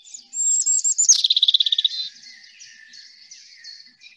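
A European robin sings high, thin whistled notes, then a quick trill of about a dozen notes, easing into softer, wandering warbled phrases.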